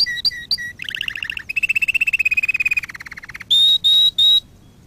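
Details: Training song for canaries, meant to teach and excite them: quick chirps open into rapid trills stepping downward in pitch, each trill slower and lower, then three bright, level whistled notes close the phrase.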